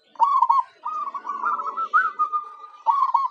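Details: Local zebra dove, a lure bird used to draw in wild doves: soft rolling trilled coos, a short purring burst, then a long wavering trill and a final stuttering burst.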